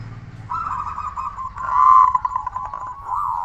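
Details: Zebra dove, a loud-voiced local bird used as a lure to make other doves call: a steady run of mid-pitched cooing notes that swells to a louder, rapidly stuttered burst in the middle, then settles into wavering coos.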